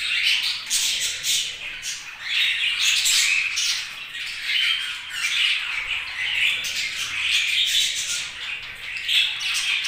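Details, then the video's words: Busy budgerigar chirping: overlapping scratchy warbles and squawks from several birds, rising and falling in loudness, with short whistled notes scattered through the chatter. "Budgies' Chirping Sounds"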